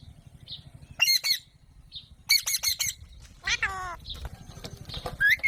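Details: Harsh squawking from an Alexandrine parakeet: grating multi-note bursts, then a lower wavering rasp and a short rising squeak at the end, over a low steady hum.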